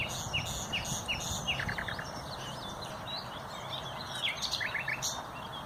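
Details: Common nightingale singing, recorded 30 April 2021: bursts of quick repeated notes, sharp downward-slurred strokes and short rapid trills, with brief pauses between phrases, over steady low background rumble.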